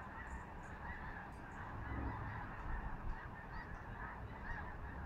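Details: Geese in a large overhead formation, Skagit Valley, Washington, Pacific Northwest; a massed chorus of honking swells slightly midway, individual calls merging, with a few higher squeaky notes and low background rumble.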